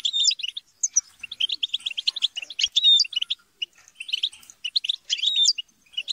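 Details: European goldfinch group chatter and squabbling used to encourage singing. Dense, lively twittering of short high notes, with recurring clear whistled down-slurs standing out.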